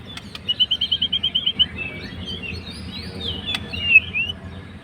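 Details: White-rumped shama, fighter type, singing to rile a rival: a quick even trill of about ten whistled notes, followed by softer scratchy warbles and a brief rising whistle, with a few clicks.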